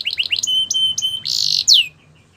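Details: Belgian canary song to stir other canaries into song: a few quick notes, sharp chips over a held whistle, a harsh buzzy rattle, and a final swooping downslur.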